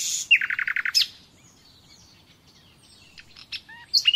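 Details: Nightingale song for training caged birds, with a quick run of six or seven repeated chirping notes, then near silence broken by a few soft whistles and sharp notes at the end.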